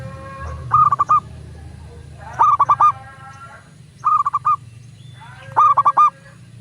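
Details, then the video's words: Local zebra dove song used to prompt other doves to sing: four bursts of rapid stuttering coos, each a quick run of about five short notes, repeated every one and a half seconds over faint low rumble. "Perkutut lokal gacor pancingan agar burung perkutut cepat GACOR dan BUNYI"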